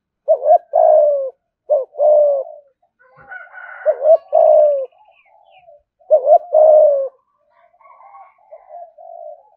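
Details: Spotted dove in a cage, thúc gù cooing: four rhythmic phrases of bouncing double hoots and drawn-out falling coos, with quieter murmured coos between and a brief higher sound overlapping once.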